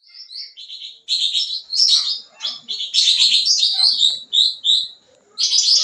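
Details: Sooty-headed bulbul singing steadily in full-isian style with many fill-in phrases, used as a lure for young birds: bright chirps and clipped whistles, then dense buzzy bursts and quick rising notes, with short pauses between phrases.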